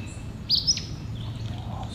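An Acadian Flycatcher gives one sharp, explosive two-part "peet-sah", high and abrupt, over a steady low rumble.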